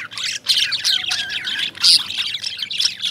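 Lovebirds chatter in rapid, shrill, overlapping squeaks and chirps, bursting every half second or so with sharp high notes; no other sounds stand out.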